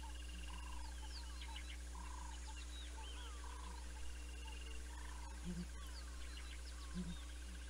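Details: A pair of Southern ground hornbills at Naledi, South Africa, on 19 December 2021; deep, muffled booming notes every second or two, under a chorus of chirping and whistling small birds and a steady low hum.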